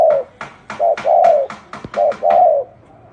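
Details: Wild field spotted dove cooing: low, mellow coos in short and longer drawn-out notes, several in quick succession, with sharp repeated tapping or clicking sounds throughout.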